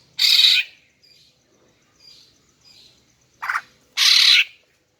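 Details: Female greater green leafbird call used to entice males: a loud rasping note, several faint soft notes, a brief mid-pitched chirp, then another harsh buzzy burst at the end.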